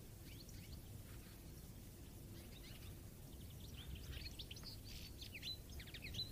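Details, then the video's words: A goldfinch's rapid, tinkling twitter of short chirps and high notes, growing busier toward the end, over a steady low rumble of wind or background noise. "GOLDFINCH BIRD'S AND SOUND"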